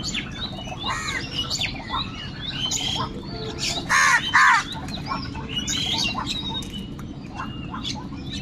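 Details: Angry crows calling continuously and loudly while fighting for food: two loud, harsh, hoarse caws in quick succession mid-way, set against steady chatter of shorter squawks and chirps from other birds and a constant low rumbling background.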